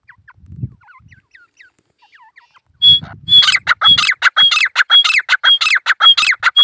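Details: Single male grey francolin in the jungle: faint chirps and low rumbling at first, then loud calling bursts in, harsh grating phrases repeated roughly twice per second, each topped by a brief high whistle.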